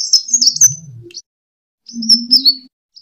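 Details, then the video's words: Sunbird kolibri tarung, a fighting song played as pancingan to lure and train birds. Two short bursts of shrill, high slurred twitters separated by a pause, over a low droning hum. "Suara: -*BuRunG*- [Pancingan] ( KOLIBRI TARUNG ) BUAT MASTER"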